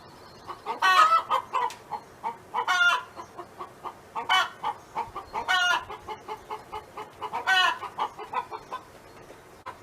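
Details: Hen kept by a neighbor, farm setting, giving a rhythmic series of short clucks broken by rising, nasal squawked notes roughly every one to two seconds, with other hens clucking softly behind.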